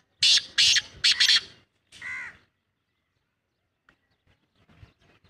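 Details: Black francolin giving a loud, harsh, grating call: a rapid burst of five or six rough, buzzy notes in about one and a half seconds, then a shorter, more tonal note, followed by near silence with faint ticks.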